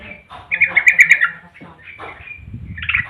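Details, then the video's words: Captive yellow-vented bulbul in full, long-phrased song: a quick bubbly burst of bright, gurgling notes, then shorter chirps after a pause, over a low background hum. "BURUNG TRUCUKAN GACOR,NGEROL DAN ROPEL SUARA PANJANG"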